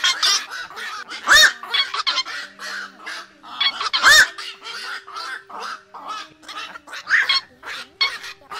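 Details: Black-crowned night herons flock call used to lure birds into night nets during August 2024 migration: harsh, barking croaks in quick, uneven overlapping bursts, with two brief higher squeals.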